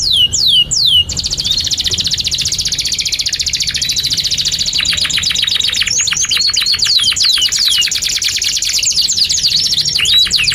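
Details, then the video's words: Long canary song used to teach young canaries: a few sharp downward sweeps, then an extended high rattling trill of very fast repeated notes lasting several seconds, shifting in pace near the end. "Kenari GACOR PANJANG INI Cocok untuk Masteran KENARI PAUD dan Kenari Macet"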